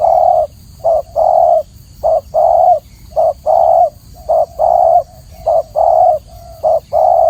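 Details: Spotted dove singing a steady run of low coos, each short note followed by a longer held one, repeated rhythmically about once a second over light background hum.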